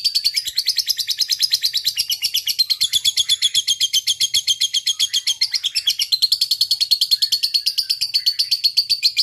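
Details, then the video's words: Long 'ngekek' chatter from a lovebird in fighting mood, kept as a single fighter: rapid, harsh repeated notes run without a pause for the whole stretch, steady and loud. "Love Bird Ngekek Panjang"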